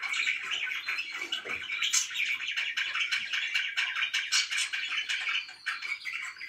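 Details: Several indoor pet budgerigars chatter nonstop, fast overlapping chirps and grating warbles forming a dense, busy wash of sound.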